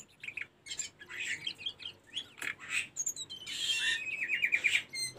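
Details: Tledekan gunung singing, recorded for training caged birds: a busy run of varied chirps, buzzy notes and quick twitters, ending in a rapid series of clear repeated notes, heard against steady background noise.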